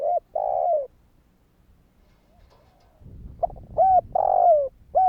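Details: Spotted dove kích bổi calling, aimed at getting other doves to call: a two-part coo phrase, a quiet gap, then short notes and a long falling coo over faint low rustling.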